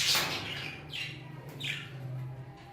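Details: Few separate high chirps from Hagoromo budgerigars in an aviary, each sliding downward, spaced about half a second apart, above a low steady hum.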